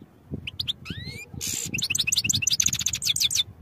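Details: European goldfinch song for training: a few sharp chirps and a rising slurred whistle lead into a harsh buzz, then a fast, dense chattering trill of high notes.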